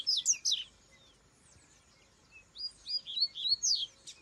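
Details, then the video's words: Rusty-collared seedeater singing in the wild: a burst of rapid high chirps, a pause, then a string of clear whistled notes and quick slurred twitters repeated several times a second. "Coleiro cantando na natureza"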